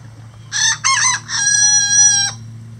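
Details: Rooster on a farm with at least twenty standard and bantam roosters that crow all day; a loud cock-a-doodle-doo with two short rough opening syllables, then a long steady drawn-out note ending abruptly, over a faint low hum.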